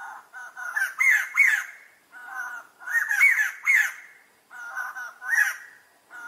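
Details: White-crested laughingthrush (Garrulax leucolophus) laughing call: three bouts of loud, harsh, raucous cackling about two seconds apart, with quieter chuckles between.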